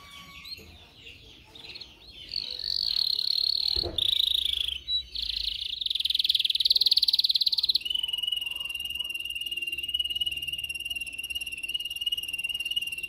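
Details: Canary singing for training other canaries: varied high phrases swell into a loud rapid roll, broken by a sudden noise, then settle into a long, very fast, steady trill on one pitch.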